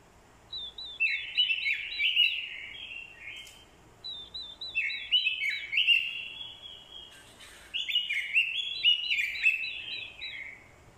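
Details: Orange-headed thrush kept as a decoy, singing its fighting song, with a female's call used to spur males; three loud warbled phrases, each opening with quick high looping notes, separated by pauses of about two seconds.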